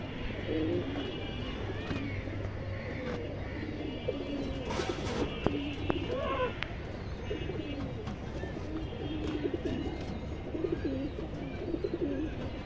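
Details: Silver running pigeon pair, male and beige-throated female, bred for long-distance flying. Soft, low, rolling coos come again and again, overlapping, with a few sharp clatters near the middle and a constant low background hum.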